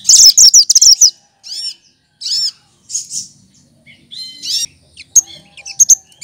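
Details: Leafbird called cucak kinoy, a green tutor bird copying other birds, begins with a fast stuttering chatter, then gives spaced arched whistles and sharp high pips.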